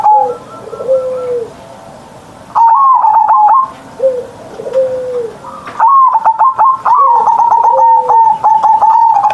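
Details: Kept perkutut, the zebra dove, singing gacor in the morning with the mbekur-mbekur rolling sound. Repeated bursts of rapid stuttered coos are followed by long steady notes, with lower sliding tones between phrases.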